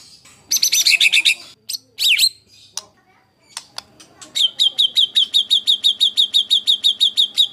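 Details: White-rumped shama master song for training competition birds, harsh style: loud buzzy harsh bursts and sharp notes, then a long even series of high repeated chips, about three per second.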